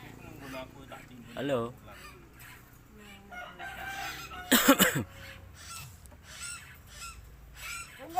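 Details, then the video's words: Common hill myna, which can copy any sound, imitating a human cough: a sudden harsh, noisy burst. Before it come a few short warbled, whistled notes, and quieter chatter follows. "burung beo yang bisa batuk"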